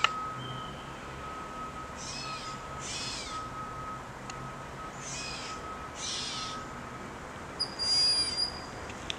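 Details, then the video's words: A broad-winged hawk in a yard gives a thin, high, drawn-out whistle near the end after a fainter earlier whistle, with buzzy bursts and a steady faint hum underneath. "Broad-winged hawk in my yard"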